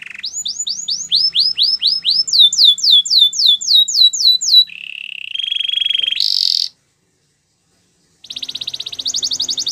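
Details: Canary singing a training song: rapid series of high, downward-curving slurred notes, several to the second, then a low buzzy rolling trill, a brief harsh high burst, a silent pause and a fast chattering trill.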